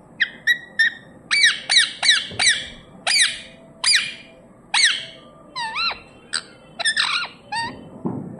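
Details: Pet talking parrot said to speak sweet words: a quick string of sharp, squeaky, harmonic-rich notes, mostly short downward strokes, then wavering swooping sounds near the middle and end, with no clear words, in a quiet indoor room.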